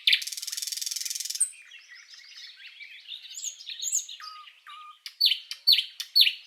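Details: Common nightingale song, a bird recording meant for training cage birds: a rapid dry rattle, then soft warbled phrases, pure whistles near the end, and loud repeated descending notes closing the phrase.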